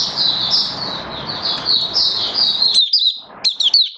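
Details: Oriental white-eye, a caged hobby bird recorded 19 September 2022 during form build-up, delivers a continuous thin, high warbling stream of slurred notes, ending in a few sharp separate chips over faint room hiss.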